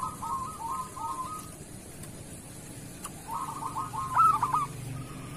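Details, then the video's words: Local zebra dove, kerot singing style, used for training doves: quiet rippling trill phrases, a pause, then a rolling trill rising into a short loud stuttered coo, against background hiss. "Suara perkutut lokal masteran perkutut kerot"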